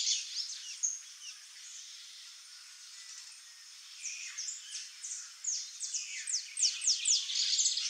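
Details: Wild, free-living saffron finch (Sicalis flaveola) song: thin, sharp chirps and quick downslurred notes, sparse at first, then tumbling out several per second, high-pitched over a soft outdoor hiss.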